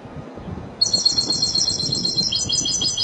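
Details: Spanish European goldfinch linked to Málaga, singing after a short quiet start: a fast run of bright, high, tinkling twittered notes that continues to the end, with faint low background rumble.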